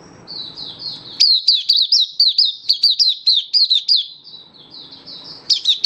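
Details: Oriental white-eye kept by a bird hobbyist, in open song display on 24 February 2023: soft high warbling, then a long steady run of about twelve sharp chirps, with low background murmur.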